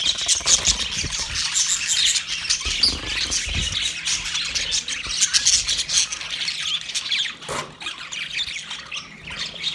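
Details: Australian parrots, budgies, chatter in a steady, dense wash of high chirps and warbles while calling to one another, brief louder squawks rising out of the flow.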